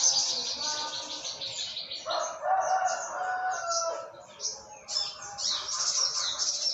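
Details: Olive-backed sunbird from Yogyakarta singing in the morning in the trotol ngalas style: dense, rapid streams of high, thin twittering notes with a stretch of lower warbled phrases in the middle.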